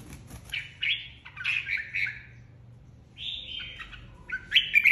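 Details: Red-whiskered bulbul flock leader, freshly removed from its aviary, singing competitively: bursts of lively, jumbled warbling, a gap, then a clear falling whistle and a final burst of sharp, chirpy notes.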